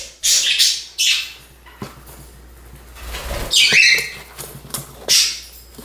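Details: Pet budgerigar at home: scratchy, high chirps in quick bursts near the start, then a brighter rising chirp mid-clip and one more short burst near the end, with faint low hum beneath.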